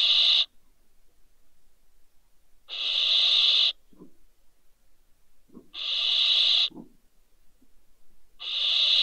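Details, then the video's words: Two barn owl owlets that fell from a balcony at Riet Vell reserve, Ebro Delta, Spain, on 27 December 2023, giving harsh, breathy hissing screeches about a second long, repeated every two to three seconds, with faint soft rustles between. "ДВОЕ СОВЕНЯТ ВПАЛИ З БАЛКОНА. СИПУХА."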